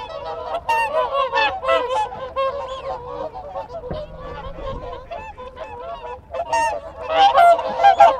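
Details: Whooper swan group keeping in touch with close contact calls: bursts of overlapping bugling honks, a brief lull midway, then louder calling again, with wigeon whistles and Canada geese in the background.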